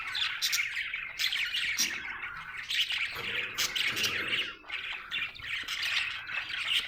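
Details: Budgerigar chirping happily: continuous raspy warble with clicks and squawks, a brief lower murmur partway through.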